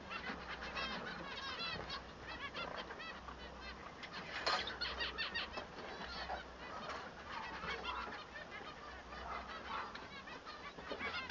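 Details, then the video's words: Quiet, continuous song of a male Bengalese finch: overlapping buzzy chatter and stacked nasal notes, with a louder burst around the middle over a low background hum. "El canto del manon"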